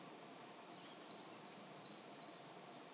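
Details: Pallas's rosefinch, a winter visitor arriving in groups at a feeding tree, Saitama Prefectural Forest, Japan, in March, giving a quick series of thin, high, slightly slurred whistled notes, about three per second, over faint background hiss.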